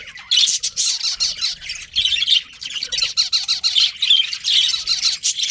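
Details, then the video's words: Pet budgerigars chirping steadily: dense bursts of scratchy, buzzy chatter and squawks in rapid runs, with brief pauses between phrases and a faint low rumble beneath. "Cute Budgies Chirping Sounds"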